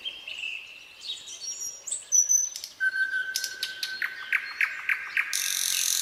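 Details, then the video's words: Varied nightingale phrases: high whistles, a long level whistled note, then a burst of rapid sharp repeated notes ending in a harsh rattling buzz. "nightingale singing"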